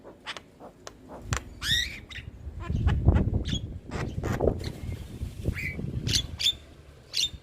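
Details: Young starling training recording, played repeatedly to get quiet birds singing: harsh squawks and rasping notes with a few sharp rising whistles, over low rumbling background noise.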